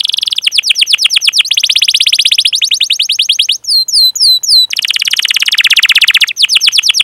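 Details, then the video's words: Canary training song: long fast trills in several sections, broken by a short run of separate high sweeping chirps, then more rapid trilling. "Masteran Suara Burung Kenari Gacor Panjang cuit cuit Ngerol untuk Pancingan Kenari!"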